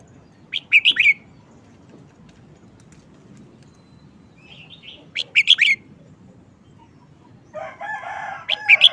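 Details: Short-phrased song of a red-whiskered bulbul delivered diligently: crisp, bright whistled note clusters about every four to five seconds, with a few softer notes between. A harsh, broadband sound joins near the end.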